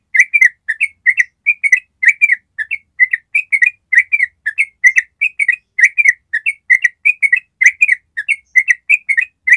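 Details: Training song of a yellow-vented bulbul, a long ropel trill: continuous chattering series of rich, rolling whistled notes in paired and tripled groups, bright and sustained for the whole stretch.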